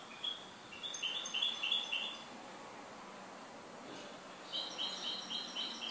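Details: Goldfinch kept by its owner giving two bursts of rapid high chirping notes, repeated in quick series, separated by a quiet gap over steady background noise.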